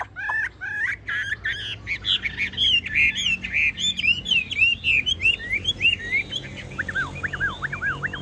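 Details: Tame caged Chinese hwamei pouring out rapid song: a jumble of sharp chips opens, then repeated looping whistled slurs, and finally lower, dipping whistles near the end.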